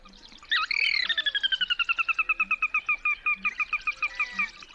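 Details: A territorial Sora's whinny call, which can be long or short: a loud, high squealing start, then a long run of about twenty clipped notes that slowly descend in pitch at a quick, steady pace.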